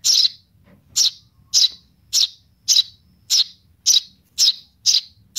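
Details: Baby Eurasian tree sparrow calling for its mother, repeating loud, high-pitched chirps in an even rhythm of almost two per second.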